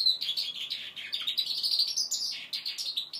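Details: Goldfinch mule of five months learning to sing, pouring out a continuous rapid twitter of high chirps and trills with no gaps.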